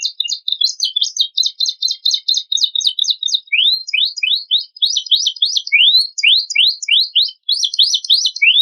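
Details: Canary song used as a lure to set other songbirds singing, with fast high trills followed by repeated rising sweeping notes in quick series, bright and continuous, with no other sounds.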